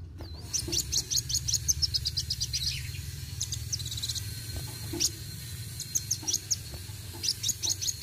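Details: Kolibri wuling sunbird singing roll tembak style: bursts of thin, high staccato chirps in fast clusters, separated by brief pauses, over steady insect-like hiss and low rumble.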